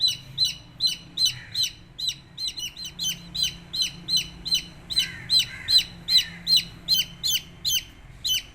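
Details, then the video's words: Baby chicks chirping: rapid, high, downward-sliding peeps repeated steadily, about two or three per second, over a faint low hum. "MURGI Baby "Chicks Chirping""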